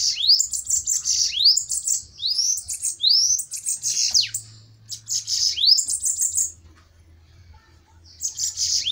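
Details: Bananaquit fighting duel: rapid bursts of thin, sizzling song, each opening with a rising whistle. A gap of nearly two seconds comes before the high buzzing chatter returns.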